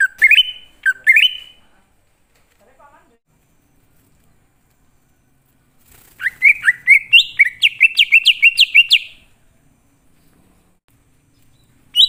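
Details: Greater green leafbird of the wild, played as a lure to draw wild birds into answering: clear whistled phrases, then a fast run of about a dozen rising, slurred notes, with a short whistle at the end.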